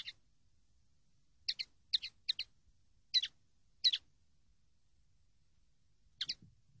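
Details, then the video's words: Common linnet from a training recording, high clipped double chirps in an irregular series, some in quick pairs, then a longer gap before a final chirp. "CD CANTE DE PARDILLO 123"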